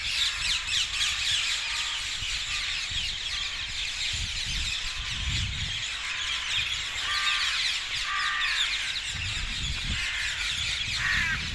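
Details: Dozens of brightly coloured parakeets flocking to roost trees south of Hackney Marshes on 18 February 2021; a dense, continuous chorus of shrill, squeaky chirps and screeches overlapping throughout, with low rumbling background noise.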